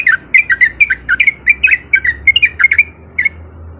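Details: Sooty-headed bulbul male, ropel song used as a lure to provoke other bulbuls; quick run of bright, slurred chirps in steady succession for three seconds, then stopping, over a soft low hum.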